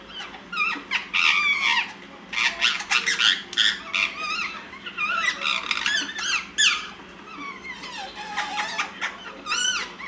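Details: Pet rose-ringed (ringneck) parakeets at nap time chatting to each other rather than sleeping: a busy stream of squeaky whistles, chirps and slurred rising and falling notes from several overlapping birds, with a low indoor hum beneath.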